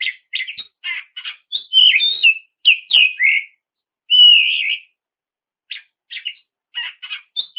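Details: Oriental magpie-robin singing to draw rivals into song, alternating scratchy chatter bursts with clear descending whistles and a sustained wavering whistle in the middle, then sparse clicks.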